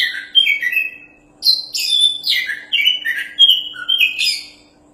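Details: Energetic Oriental magpie-robin song from a champion bird used for tutoring: a dense, melodious stream of whistles, trills and slurred notes in two long phrases, with brief scratchy notes woven through and a short gap between phrases.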